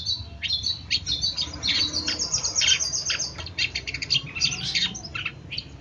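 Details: Long-tailed shrike training recording sung as a model for other birds: a fast, unbroken run of scratchy chatters, high squeaks and varied whistled notes with no pauses.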